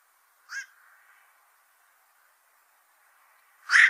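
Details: Black-crowned night heron: a softer, short gruff call followed by a long quiet gap, then a much louder harsh croak cut off at the end.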